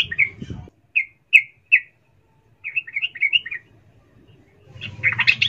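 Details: A female sooty-headed bulbul calls for a male, excited ngecuplik chatter used to stir lazy birds: three spaced bright notes, a short twittering phrase, then a noisy burst of chirps at the end.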